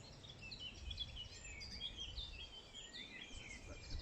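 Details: A male Eurasian blackcap, a warbler here for the breeding season, sings at dawn on 4 May 2019 in meadows and bluebell wood in West London: a rich, warbling, jangly run, blackbird-like but busier, phrases of set length, over low rumble.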